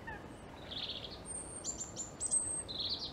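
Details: European robin song: high, thin whistled notes and short tinkling phrases, some sliding and some held, with brief pauses between phrases, over a soft hiss of background noise.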